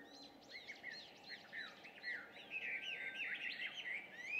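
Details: Chinese hwamei, an alien species, singing its loud early-morning song at 5:30 in June, recorded from afar. Rapid slurred whistles build into a dense, rich warbling run, with constant low noise behind.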